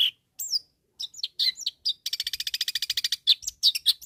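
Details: Long-tailed shrike singing to challenge rivals: scattered high whistled slurs, then a fast even rattle of about fifteen clipped notes, ending with several sharp squeaky chirps.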